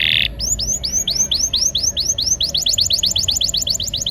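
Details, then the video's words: Singing canary with a rolling song used as a prompt for silent canaries: a short buzzy note, then rapid looping whistled notes that speed up into a fast trill-like roll. "Pancingan suara burung kenari gacor ngeroll..!! cocok untuk kenari macet agar mau bunyi"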